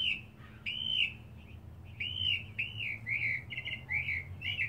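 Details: Singing mockingbird in a back yard, seeking a mate: arched slurred whistles repeated several times, then varied buzzy notes in a lively stream.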